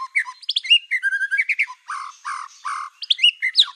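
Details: Provoking song of a black-tailed white-rumped shama: loud whistled notes and upward slurs, then three thick, buzzy repeated phrases and a final burst of high chirps.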